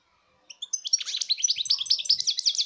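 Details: European goldfinch singing, recorded in 2019: after a half-second pause, a dense, fast, liquid twittering of buzzy, tinkling notes runs continuously to the end, high-pitched and energetic.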